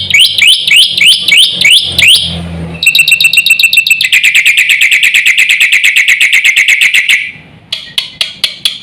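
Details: Black-winged myna song played to provoke other mynas: a fast run of rising whistled notes, then a long harsh, buzzy rattling series repeated about four times a second, ending in sharp separate chirps.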